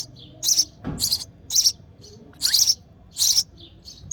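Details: Sparrow mother feeding her chick in the nest while it begs with loud, scratchy high chirps in quick succession, plus a low knock early on.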